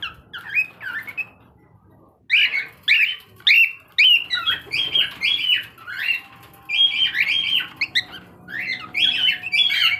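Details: A three-month-old grey cockatiel, early to start whistling, gives a run of bright, warbling whistles and squeaky chirps, with brief pauses.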